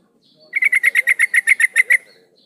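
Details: A female yellow-vented bulbul calls to a male, a recording used as a lure to get males singing. About twelve rapid, evenly spaced, harsh chattering notes run in one steady burst.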